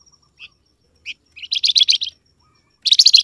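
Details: Call of the grey-headed canary-flycatcher (flamboyan), meant to prompt wild birds to reply: isolated high notes followed by two rapid bursts of bright, choppy chirps.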